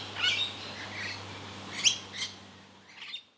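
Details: Rainbow lorikeet feeding in Australia, acrobatic and noisy, calling without pause; chattering harsh notes early, then two loud piercing screeches and a trailing weaker squawk as the sound fades out.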